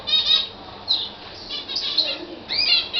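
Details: Libyan canary in song, delivering short bursts of high whistled and trilled notes separated by brief pauses, some phrases sliding upward, ending on a sharp rising warble.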